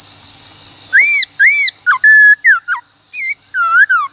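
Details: A captive black-throated laughingthrush singing loud, clear whistled phrases of arched and slurred notes, with a steady high-pitched hum throughout; recording is used to train and stimulate caged birds.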